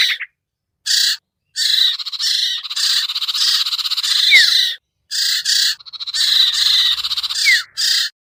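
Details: Sirtu or common iora lure call aimed at birds that are hard to bring down: long continuous harsh, raspy churring, short buzzy bursts and two falling whistled slurs.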